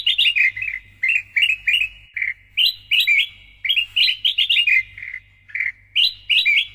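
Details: Sooty-headed bulbul (kutilang emas) in loud, energetic song meant for training other songbirds: cheerful, warbled note clusters stepping up and down, grouped in bursts separated by short pauses, a soft low hum in the background.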